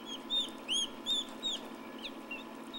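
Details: Hatching turkey poults in an incubator, 2006, uttering clear downslurred peeps, four strong ones in quick succession followed by softer chirps, over a steady hum.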